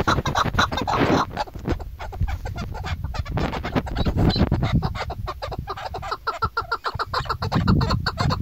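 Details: A female chukar partridge, recorded in a hunting context, gives a fast, continuous run of harsh clucking notes, tumbling along several to the second, over a rough, rumbling background.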